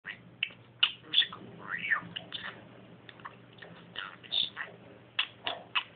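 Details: Pet budgerigar talking indoors: rapid run of chattering, speech-like syllables and short squeaky notes, with a steady low hum underneath.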